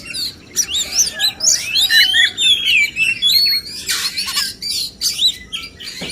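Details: Competing male oriental magpie-robins singing to provoke each other into fuller song; varied rising and falling whistles with fast chatter, about four bursts a second, broken by harsh noisy bursts.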